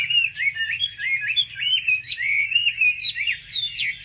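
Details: A wambi sings to provoke other wambi birds: an unbroken stream of rapid, high chirped and warbled notes that waver up and down, over a soft low hum.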